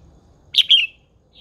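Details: Female red-whiskered bulbul, wild-matured cage bird, used to rouse males: one quick phrase of a sharp whistled note followed by a slurred, slightly descending trill, then near silence.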